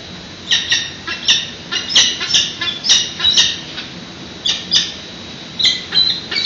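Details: Nest webcam in San Francisco, June 2017 morning feeding: growing peregrine falcon chicks beg with clustered, shrill, rasping squeaks in rapid runs separated by short gaps.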